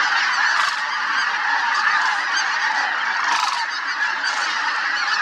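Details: A big flock of snow geese in flight at Merced National Wildlife Refuge, California, on 21 February 2021, alongside sandhill cranes: a dense, constant din of high, nasal honks and yelps, hundreds overlapping with no pause.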